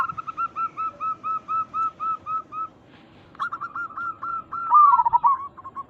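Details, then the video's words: Local zebra dove giving a call to make other doves respond; a long regular series of about a dozen clipped notes, a pause, then hurried notes ending in a loud warbling, wavering coo. "Perkutut lokal gacor Suara ini membuat Burung Perkutut langsung Nyaut cepat respon"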